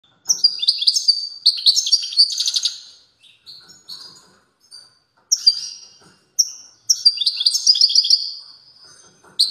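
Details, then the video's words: European goldfinch giving a strong song, recorded 29 September 2022: high tinkling twittering phrases with buzzy trills, in three bursts of two to three seconds separated by short pauses, in a quiet setting. "تغريد قوي لطائر الموقنين"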